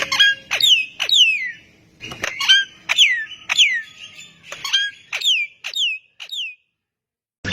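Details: Javan myna (jalak kebo) singing so that other mynas join in: loud ringing whistles that sweep downward, about one per half second, with a few harsh notes mixed in, before a brief silence.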